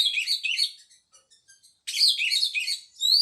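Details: An Oriental magpie-robin pours out varied chirping phrases, falls nearly silent with faint ticks, then resumes loud, warbling trills and ends on rising whistles.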